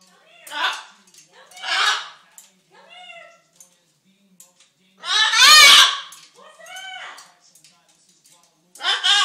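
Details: Hungry pet macaw seeking attention, giving a string of speech-like harmonic utterances, some arching in pitch, one loud raspy burst near the middle, separated by short pauses in a quiet indoor setting.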